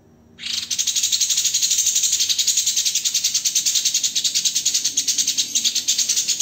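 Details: White-rumped shama song in dense, harsh rapid-fire bursts, a master recording for training songbirds: a high, buzzy rattling train of fast pulses, roughly two per second in loudness, running steadily without pause after a brief silent start.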